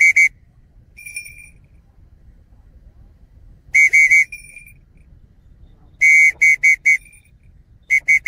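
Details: Falconry-trained changeable hawk-eagle of the dark morph calling in bursts of shrill, piercing whistled notes, grouped in twos to fours with gaps of a second or two, over soft low rumble.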